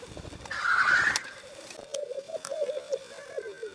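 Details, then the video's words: Black grouse males displaying at the lek to win a female, filmed with Sony and Canon EOS 7D cameras: one loud close rasping hiss, then a run of bubbling coos, with clicks and scuffs. "corteggiamenti accoppiamento dei galli forcelli in arena"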